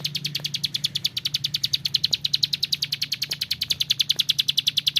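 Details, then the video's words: Tutor recording of a frequently singing bar-winged prinia: one unbroken stream of quick, high, sharp chirps, nearly eight a second, slightly uneven in loudness, over a steady low mechanical hum. "SUARA CIBLEK SAWAH GACOR"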